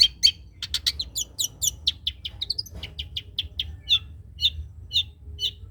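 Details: Spotted (trotol) long-tailed shrike used as tutor song for other birds delivers quick high chips, a brief rising whistle run, then slower evenly spaced chirps.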